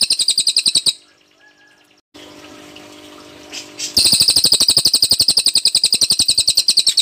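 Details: Cililin bird in 'tembakan' song: a loud, high, rapidly pulsed trill, a pause of quieter hiss and faint notes, then the same fast, shrill pulses resume strongly and continue steadily.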